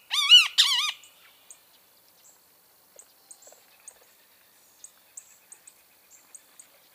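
A great kiskadee gives a loud, harsh, wavering two-part call in the first second, followed by faint high ticks and chips.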